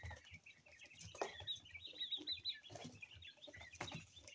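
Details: Young coturnix quail chicks, two weeks old and of mixed colours, give rapid overlapping high peeps, some sharper and louder, mixed with scuffling and tapping sounds.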